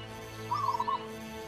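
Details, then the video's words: {'caption': 'Local Javanese zebra dove (perkutut) singing: one brief, quick, stuttering cooing phrase of about half a second, with a constant low hum behind it.'} "suara perkutut lokal manggung"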